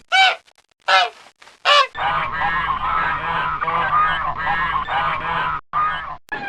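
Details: Many ducks swimming on a pond or lake: three loud, nasal, harsh quacks open, then a dense, overlapping chorus of quacking runs steadily over a low hum.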